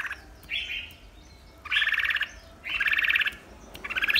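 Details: Breeding Red-whiskered bulbul singing in competition, giving bright, rapidly trilled phrases about a second long, repeated roughly once a second, with a soft background hum.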